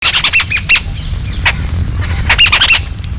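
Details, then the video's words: Yellow-billed babbler, locally called Kariyila Pakshi, giving harsh, squeaky chattering notes in two quick bursts of four to five calls. A lower rustling background runs underneath. "Kariyila Pakshi or Yellow billed blabber sound"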